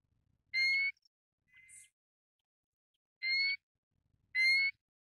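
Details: Pacific golden plover sounding three loud, upslurred whistles, with a softer, lower whistled note between the first two; quiet background.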